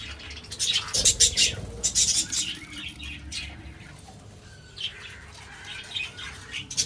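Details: Captive budgerigars in a breeding setup give bursts of sharp, high chirps and warbles, clustered near the start and again toward the end, with quieter gaps between and faint low background hum.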